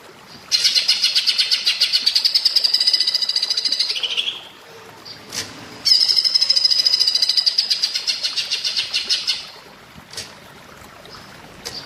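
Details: Cucak ijo (green leafbird) in platuk bawang style, recorded as a master for training birds: two long, dense, piercing trills of rapid notes, each tapering off, split by a short pause with a click.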